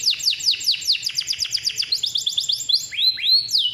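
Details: Male canary from a breeding farm, persistent long-roll singer for tutoring young canaries: a rapid series of downward-slurred whistles, a fast rattling trill, then two slower upward-swooping notes.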